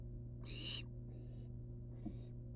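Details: One strong, breathy screech-hiss followed by two fainter, shorter hisses from wild barn owl chicks out of the nest box, with a faint tap and a constant low hum.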